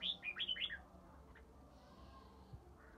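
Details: Ché-style song of a three-season red-whiskered bulbul from Ba Tơ in early spring: one quick phrase of five or six clear, looping whistled notes, followed by quiet with a faint hiss and low hum.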